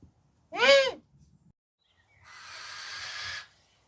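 A brief, arching harmonic cry, then after a pause a long, harsh, hissing screech of about a second from a female barn owl.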